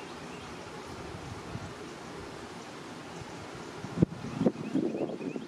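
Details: Wind rumbles over the microphone, followed near the end by a few knocks and rustling thuds.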